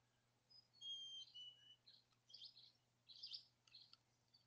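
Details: Male chickadee giving a feebee call outside the nest before approaching and feeding the female: thin, high, pure whistled notes early on, followed by softer scratchy high notes, quiet against a low steady hum.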